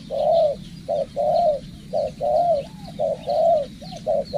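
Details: Spotted dove being trained as a decoy bird, giving low, soft coos in a steady series, long mellow notes alternating with shorter ones about once a second, with faint high chirps of other birds in the background.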